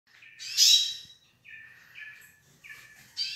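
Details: A pair of Yellow-faced Siskins, in quick, high twittering bursts: a bright buzzy trill, then several shorter chattering phrases over about three seconds.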